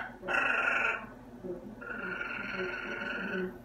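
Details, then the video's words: Chatty pet macaw indoors utters a clear tonal, voice-like sound, then a longer level harmonic phrase, followed by a person speaking to the bird. "Talking Parrot"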